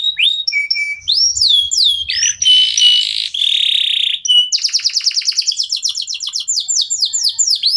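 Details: Local domestic canary, used as a prompt and song tutor for contest birds: whistled notes, a harsh buzzy stretch, then a long accelerating series of upswept chips; faint low hum at times.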